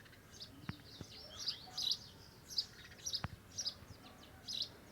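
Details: Lined seedeater (bigodinho) singing, torneado style: short, sharp, high chirped notes in loose clusters, repeated about every half second to second, with a few faint clicks between.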